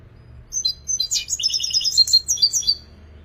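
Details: European goldfinch singing: a fast, twittering run of high, tinkling chirps and short buzzy trills, rising in loudness and running continuously for about three seconds, with no other sounds.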